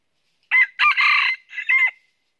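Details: Northern red junglefowl used as a live decoy in trapping, crowing loudly: a short opening note, a long harsh middle phrase and a falling closing note, all within about one and a half seconds, clean background.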